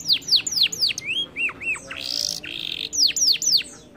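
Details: Canary song meant to prompt a reluctant singer: rapid steep downward whistles, a few lower looping notes, a harsh buzz in the middle, and a return to quick falling whistles.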